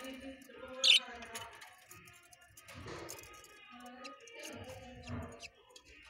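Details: Breeding budgerigars, kept with newborn chicks during breeding season, chatter with high, scratchy chirps and warbling notes, with a sharp squeak near the start.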